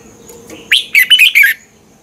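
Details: Red-whiskered bulbul, Thai caged songbird, song used to teach or stir up birds: one short phrase of four or five sweet, slurred whistled notes in quick succession after a brief rising lead-in.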